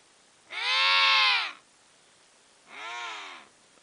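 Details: Emperor penguins, four wild birds sliding on their bellies across sea ice near Inaccessible Island, Antarctica, in October: two rich, nasal, harmonic trumpeting calls, the first loud and about one second long, the second quieter and shorter.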